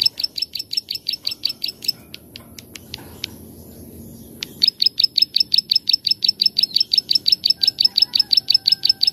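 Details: Master recording of a plain prinia in the 'klik-klik' style: long trains of buzzy, evenly repeated clicks, about three per second, interrupted midway by a few sharp ticks and a quiet gap.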